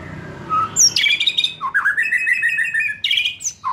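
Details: White-rumped shama song, used to prompt a young wild-caught bird just out of speckled juvenile plumage to sing freely; loud varied whistles, a high slurred note, then rapid buzzy trilled phrases running continuously, with a faint low background hum.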